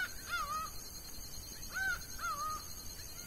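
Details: Laughing falcon in the sertão of Bahia giving clear, ringing two-part calls: an arched note followed by a wavering, slightly lower note. The pair is repeated about a second apart over faint background hiss.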